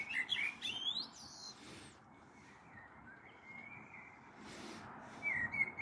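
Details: Common blackbird singing on an April evening, 21 April 2022, as a storm may be approaching: high squeaky twitters open, then low fluting whistled phrases drift out over a quiet background hiss, with another brief phrase near the end.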